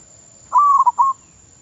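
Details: One phrase from a zebra dove trained as a decoy bird in Thailand: a drawn-out mellow coo running straight into two quick short notes, then quiet.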